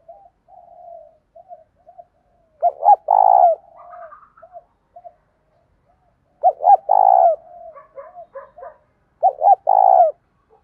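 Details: Spotted dove in the mixed 'thổ' and 'thúc gù' style, singing its full song at morning to call wild doves. Three loud phrases come roughly every three to four seconds, each with two sharp notes and a drawn-out coo, linked by soft murmurs.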